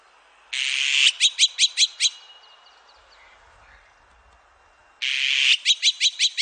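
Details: Azure-winged magpie calling: a harsh, rasping buzz followed at once by a rapid run of five or six short clipped notes, the whole phrase given twice about four seconds apart over a quiet background.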